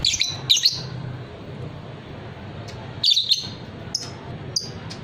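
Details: Shrill, harsh squawks from a fighter lovebird kept by bird hobbyists come in paired bursts at the start and again near three seconds, with faint high chirps between and a steady low background murmur.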